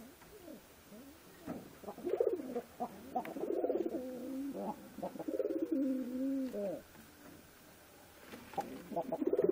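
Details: Pigeons giving repeated throaty, wavering coos in overlapping low bursts lasting several seconds, rising and falling in pitch, with faint background noise.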